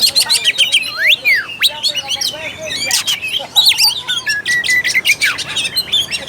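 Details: Kacer song, Oriental magpie-robin, used to provoke a lazy bird into singing: chirps and long sweeping whistled slurs, some dropping low, followed by steady repeated clear notes near the end.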